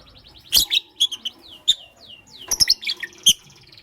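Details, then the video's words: Pet lovebirds, a green Fischer's and a pastel blue, chirping in the morning: sharp high chirps and short descending whistled notes in scattered bursts, with several loud clicks. "Lovebird Chirping Sounds - Green Fischeri & Pastel Blue"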